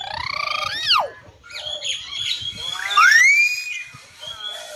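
A hill myna gives loud, rich calls: a rising then steeply falling note, a jumble of chatter, and a clear upslurred whistle, with a soft background hum.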